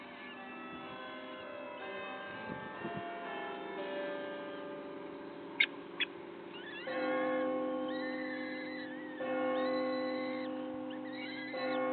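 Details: Instrumental music with sustained tones and sliding notes plays throughout, broken by two brief clicks midway.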